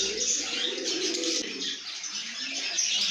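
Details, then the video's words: Lovebirds making cheerful sounds in a good mood: nonstop high-pitched chirping and buzzy squeaks from several birds at once, with a steady lower hum of softer calls beneath. "lovebirds make happy sounds"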